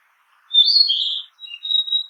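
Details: Narcissus flycatcher singing in a forest: a bright whistled phrase sliding around a high pitch, then after a short pause a thinner, sustained high whistle with a small dip, no other sounds.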